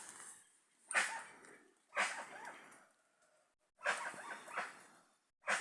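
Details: A flock of guans in the wild giving harsh, barking, honk-like calls in short bursts about once a second, with brief gaps of quiet between groups.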